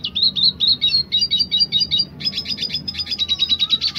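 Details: Dilute red siskin singing in the roll tembak style: rapid rolling trills of bright, high chirped notes, each sweeping upward, repeated several times per second in dense bursts with a brief pause midway.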